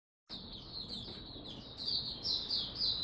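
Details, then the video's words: Caged white-eye (Mata Puteh) in Singapore, recorded 31 July 2023 as it finally starts singing again, gives a steady, unbroken high twittering warble that grows louder toward the end. "Singapore Mata Puteh Buka Sing"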